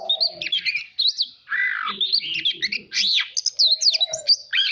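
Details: White-rumped shama singing for voice training and competitive-song practice: bursts of bright whistles and rapid chattering notes separated by short gaps, a lower harsher phrase midway, and soft low tones beneath.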